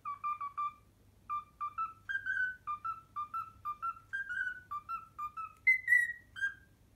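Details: Pet cockatiel whistling a learned tune, the Pythagora Switch opening theme: a bouncy run of short clear whistled notes, mostly mid-pitched, climbing in steps and ending on a few higher, longer notes; quiet indoor hum behind.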